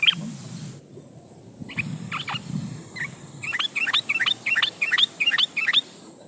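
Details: Yellow-vented bulbul calling out a rival as a lure to provoke singing: scattered liquid notes that build into a rapid string of bubbling, gurgled phrases against steady hiss and low rumble.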